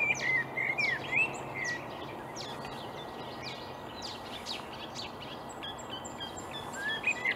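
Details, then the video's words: Reed-dwelling marsh warbler in Upplands Väsby, Sweden, on a May 2020 morning, opening with a quick bright warbled phrase, then quieter scattered chirps and a renewed whistled flourish at the end, with low steady background noise. "Marsh warbler (Kärrsångare) i Upplands Väsby maj 2020"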